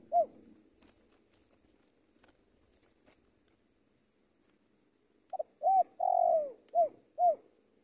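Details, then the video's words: Spotted dove decoy during Indonesian luring: one lone soft coo, a long quiet gap, then a burst of rounded short coos around a longer drawn-out coo, spaced about half a second apart. "AJARAN PIKAT TEKUKUR SI BONGSOR KETEMU BL RAJA NGUKU"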